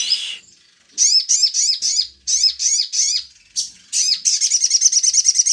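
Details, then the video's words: Sogon lure song meant to provoke other birds to sing: a series of sharp, high chirps, each sweeping downward, given in quick groups, ending in a rapid run of repeated chirps. "pancingan burung sogon"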